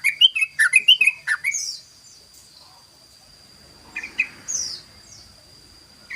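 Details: Sooty-headed bulbul in ropel style, a rapid song used as a lure: a quick cluster of chirpy, liquid notes, then a long quiet gap and a short second burst, with a thin constant high tone behind.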